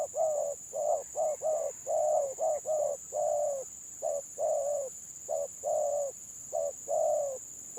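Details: Spotted dove 'gagap' song in a gelang patah contest edition: rapid stammered coos, often doubled or tripled, delivered nearly every second with brief gaps, a steady high whine behind.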